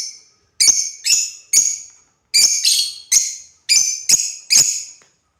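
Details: African lovebirds kept as pets, playing: a series of sharp, shrill single chirps, some doubled, repeated roughly every half second with brief gaps between groups.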